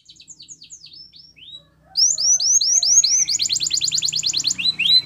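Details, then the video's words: Belgian canary song for training young canaries: soft scattered chirps, a brief pause, then a loud run of quick rising whistled notes merging into a dense rapid trill, ending with a few sharper sweeping notes. "Belgian Canary Singing Training !! Canary Bird Sounds"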